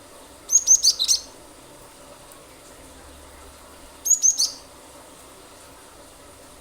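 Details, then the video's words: Cinereous tit song used as a lure for other birds. Two quick runs of high, thin whistled notes, the first with about five notes and the second with three or four, spaced three seconds apart. "pancingan ampuh glatik batu gacor nembak nembak pasti burung lain ikut bunyi"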